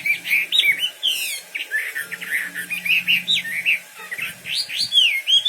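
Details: Energetic wambi bird song, a continuous run of varied bright whistled notes, some rising, some falling, strung together without pause, with a faint low hum underneath.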